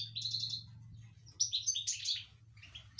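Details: Excited European goldfinch singing inside a cage: rapid high twittering with buzzy trills and quick tinkling phrases that jump between pitches, over a steady low electrical hum.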